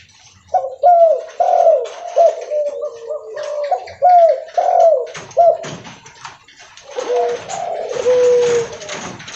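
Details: Highly vocal leopard spotted dove calling as it walks; a series of short, husky coos repeated steadily, then softer trailing notes with clicks and handling noise.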